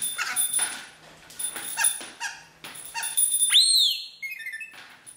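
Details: Pet Rainbow Lorikeet that learned to copy an R2D2-bleep phone ringtone, chirping excitedly when its bell-ball is rolled: squeaky chatter and gurgles, then a loud, pure electronic-sounding whistle that rises and falls.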